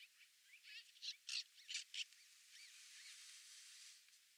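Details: Black-billed magpies squabbling over a deer carcass near Flaming Gorge Reservoir, Wyoming, on 6 September 2020; a quick run of five or six loud, rasping chatter notes over about a second and a half, then softer scattered calls.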